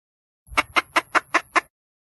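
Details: Wild red junglefowl hen calling for a mate: six softer, evenly paced clucks, roughly five per second, over a faint low rumble.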